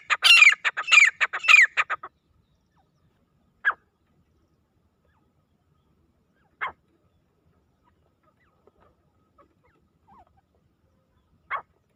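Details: Desi grey francolin calling: a two-second burst of loud, harsh, rapidly repeated high notes, then single sharp notes every few seconds in silence.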